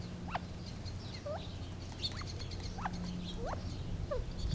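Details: Sparse, quiet rising and falling chirps of Gambel's quail, roughly one every second, over a continuous low mechanical hum.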